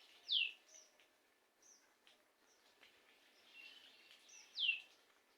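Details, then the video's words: A common kingfisher perched in a neem tree at R.S.U.K. at 4:47 PM on 3 June 2021, before flying to another branch, gives two sharp, high, piercing notes about four seconds apart, falling steeply, with faint chirps from other birds. "মাছরাঙা পাখি।Kingfisher Bird"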